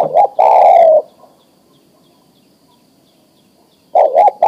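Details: Male spotted dove summoning a female to mate: a coo phrase ending in a long falling note, a pause of nearly three seconds, then the paired short coos of the next phrase.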